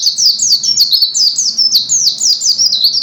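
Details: Dense white-eye song with high, twittering, downslurred notes delivered in quick, unbroken succession, loud and clear throughout.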